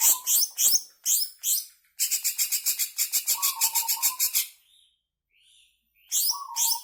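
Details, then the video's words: Greater green leafbird in a long continuous song used to provoke caged birds into singing: sweeping high whistled phrases, a fast run of about eighteen sharp repeated notes, lower warbled slurs, then a short pause before whistling resumes. "Suara Pancingan Cucak Ijo Ngebren Panjang"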